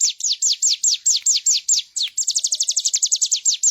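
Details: Bar-winged prinia singing energetically, used as a master recording for teaching other birds: a series of loud, high, downward-slurred notes, then a faster run of shorter, steeper strokes. The background is clean.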